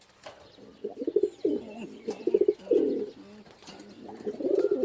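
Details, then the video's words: Pigeons give low, throaty rolling coos in bursts about every second, the soft gurgling phrases rising and falling with a few faint background clicks. "Pigeon Sound"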